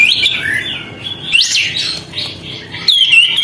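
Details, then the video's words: A sooty-headed bulbul sings hard with its tail open to provoke rival birds, giving a few drawn-out whistled notes that swoop up and down, with short pauses between them. "kapas tembak gacor buka ekor, untuk memancing emosi burung lain"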